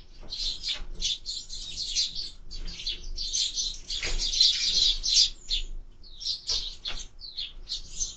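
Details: Sparrows at a bird feeder, filmed by a bird camera; dense bursts of sharp chirps overlap almost continuously, with short pauses and occasional wing flutters in the background.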